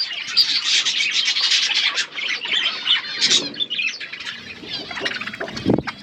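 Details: Several budgies feeding, giving continuous high twittering chirps and scratchy warbles in irregular rapid bursts, with a few soft thumps and rustles from the birds moving.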